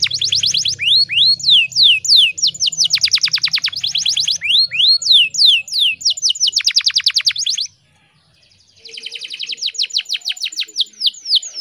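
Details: Female canary in breeding condition, calling to lure a male and spur other canaries into full song: rapid high trills of repeated down-slurred notes in fast rolls, a short pause near eight seconds, then a buzzy trill resumes over a faint low hum.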